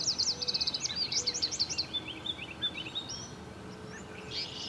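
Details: Nestling American robins being raised by their parents: an opening rush of rapid, high, pulsing squeaks that fades into scattered softer peeps, with constant outdoor background noise.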